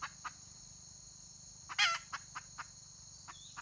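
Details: Red junglefowl hen in the wild, recorded 31 May 2023: one loud, harsh, scratchy call among a few quiet clipped clucks, with a constant shrill insect hum behind.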